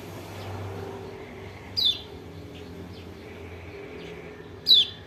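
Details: White-eye (kecial kuning, pleci lombok) calling, played to provoke a lazy bird into song: two piercing descending chirps about three seconds apart over low rumbling noise.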